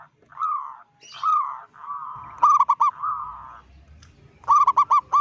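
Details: Vocal local zebra dove aiming to unsettle other zebra doves: rising cooing phrases followed by a long trill and two bursts of loud rapid staccato notes.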